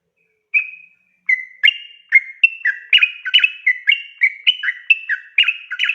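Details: Long-running 'ropel' song from a Sooty-headed bulbul: a thin drawn whistle, then brisk, full-toned notes alternating high and low, gathering into a rapid, rhythmic warble. Quiet background.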